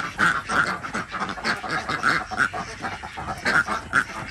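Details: Desi ducks on a village farm in Andhra Pradesh, India, calling in the morning while eggs are collected. Sparser, loud nasal quacks stand out roughly every half second over a background of softer flock chatter.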